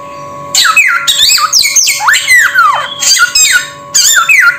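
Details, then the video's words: Samyong bird calling with raspy, noisy squawks and long descending whistled slurs, grouped in three bursts separated by brief pauses, with a faint constant hum behind. "Suara Burung SAMYONG"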